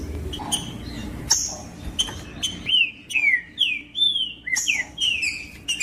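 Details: Green-winged saltator (trinca-ferro) singing to stir quiet birds: a few soft notes, then a steady series of loud, clear downslurred whistles, spaced about every half second.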